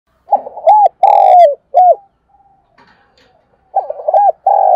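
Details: A decoy spotted dove cooing to lure wild doves: low soft hooting phrases of a short coo, a longer drawn-out falling coo and a clipped final note, repeated after a pause of about two seconds.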